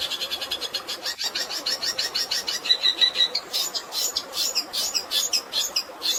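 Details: Long-tailed shrike singing a fill of fighting sparrow calls: fast, rapidly repeated high chattering notes, about three per second, over a constant rush of natural water sound.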